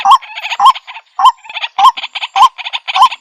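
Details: White-breasted waterhen calls played back through a Bluetooth speaker: loud, rhythmic croaking notes with harsh grating bursts between them, repeated about every half second.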